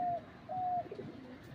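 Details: Tame dove used to attract other doves calls from a tree: two smooth, level hooting notes, the second longer, over a low murmuring background.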